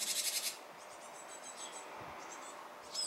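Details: Japanese tit as fledging nears, apparently hesitant: an opening half-second burst of fast, harsh pulsed buzzing, then faint high chirps and a brief buzzy note at the end, over quiet steady hiss.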